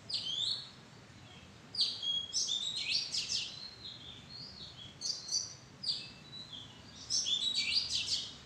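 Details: An Oriental magpie-robin in a mangosteen-relative (madan) tree arbour gives bright, high whistled phrases with sweeping notes, in bursts every second or two, against a faint background hiss.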